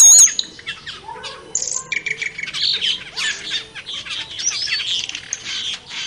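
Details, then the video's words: Cucak keling in the wild. A short high whistle opens, followed by grating squawks, a few lower, nasal notes and dense overlapping chatter that continues to the end. "Suara Burung Cucak Keling di Alam Liar"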